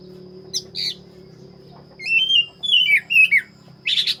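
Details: Black-breasted Oriental magpie-robin singing in full voice: a few short high notes, then a run of clear whistled phrases that slur downward, ending with a harsh burst, over a low steady hum and a thin constant high tone.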